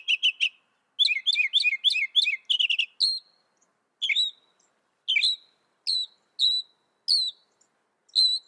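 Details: Northern mockingbird singing: a quick burst of three high chirps, then rapid runs of repeated doubled, slurred notes, followed by single sharp chirps spaced about half a second apart, against a silent background.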